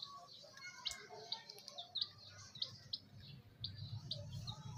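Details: Chicks chirping: many short high peeps repeated irregularly, several birds overlapping, with a low background hum.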